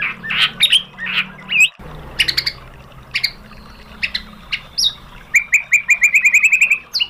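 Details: White-rumped shama lure song to rouse birds into replying: scattered sharp chips and squawky notes, ending in a quickening trill of bright, evenly spaced whistled notes.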